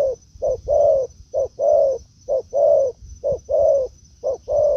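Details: Spotted dove in a forest, where a decoy dove meets a wild bird: low, hollow coos in pairs, a short note then a longer drawn-out one, repeated about once a second, with faint background rumble.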